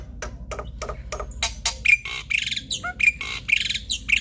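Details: Male black-winged starling song used to prompt lazy starlings to sing: harsh, scratchy squawks and noisy bursts mixed with short thin whistles, uneven in rhythm.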